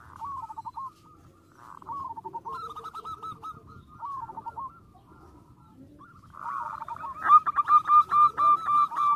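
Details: Zebra dove, called perkutut, provoking rival birds with song. Soft rolling coos build into a loud, rapid series of sharp cooing notes at the end.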